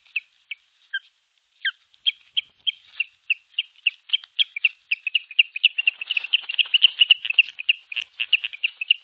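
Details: A female osprey defending her nest against an intruding osprey, 21 April 2023, gives high, sharp whistled notes, spaced at first and then quickening into a rapid, agitated series of calls.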